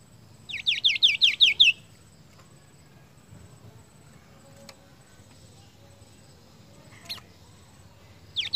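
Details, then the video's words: The seniper sings one rapid run of about six high, downward-slurred chirps, then falls silent for several seconds. A few soft clicks follow, and the same phrase starts again just at the end. "VARIASI KICAU BURUNG MASTERAN SENIPER"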